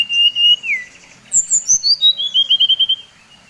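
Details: Brown-chested jungle flycatcher, Bali variety, singing a provoking lure song: a sustained whistle sliding downward, then a bright descending run ending in a rapid trill of short repeated whistles.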